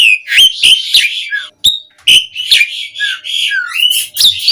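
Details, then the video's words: Asian pied starling singing a lure song meant to coax other starlings into full song: a dense, varied stream of whistles, slurred rising and falling notes and short rough bursts with barely a pause. "Suara Kicau Jalak Suren Mudah Ditiru Buat Pancingan Burung Jalak Agar Gacor"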